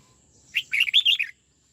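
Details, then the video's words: Single rapid phrase from a red-whiskered bulbul being trained to sing the twisting '89 xoắn tít' style: a lead whistle followed by a tumbling run of bright, slurred notes, then silence. "Luyện chào mào hót giọng 89 xoắn tít"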